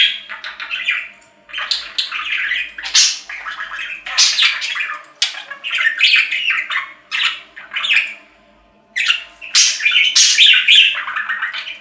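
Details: Budgerigar chatter, long and dense: rapid scratchy chirps, clicks and squeaky warbled notes in quick succession, with one short silence before it resumes.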